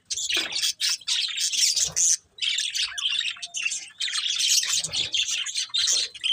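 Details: Breeding pair of pet budgerigars warbling and chirping in long busy runs, scratchy and high, broken by a brief lull near two seconds.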